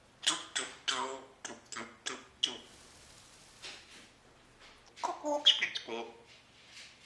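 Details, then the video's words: Talking parrot in Austria that speaks English and German and sings: a run of short, clipped speech-like syllables, a pause, then a burst of harsher chattering words. "Jakob the talking parrot"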